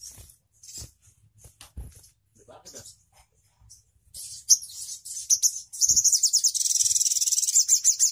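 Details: Crimson sunbird with quiet scattered chips and low knocks at first, then sharp high notes building into a fast ringing trill at the end.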